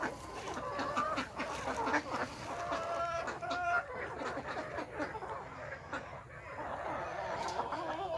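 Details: Desi chickens at a village farm in the morning, where chicks have hatched naturally, giving repeated harmonic clucks and drawn-out murmuring notes, with scattered tapping and scratching sounds throughout.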